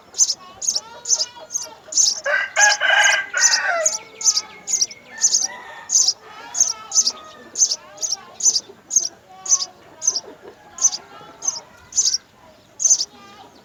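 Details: Three young house sparrows fed at the nest by mother and father; a long run of quick, sharp, high chirps, joined early on by a burst of harsher, excited chattering, then continuing steadily.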